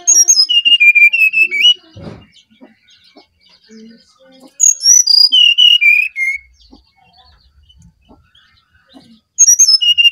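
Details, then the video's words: Brown-chested jungle flycatcher from Bali in full flute-like song, used as a lure: three phrases of pure whistles, each descending step by step then lifting at the end, with soft thuds and faint sounds between. "Burung Sikatan Rimba Dada Coklat Bali Gacor Nyuling Untuk Pancingan SRDC"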